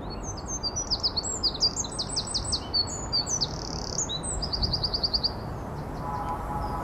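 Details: Eurasian wren (Troglodytes troglodytes) singing: a loud, rapid, high-pitched outpouring of sharp notes, quick trills and a fast even rattle near the end, over a low steady background rumble.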